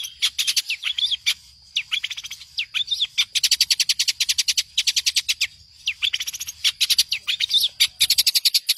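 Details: Long-tailed shrike master song for training songbirds: rapid metallic chip series interleaved with short hooked whistles, alternating fast rattles and slower notes, a low hum underneath.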